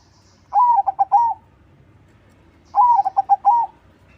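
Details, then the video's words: Zebra dove in steady crossing-style song, played as a lure for other doves. Two matching phrases about two seconds apart, each a mellow, slightly wavering coo sequence of long, short, short, long notes. "SUARA PERKUTUT CROSSING GACOR TERBAIK UNTUK PANCINGAN"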